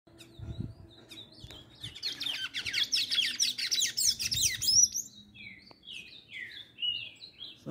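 A pair of tanagers sings: a dense burst of squeaky, high twittering, then thin, slurred notes sliding downward, with a few low thumps in the background.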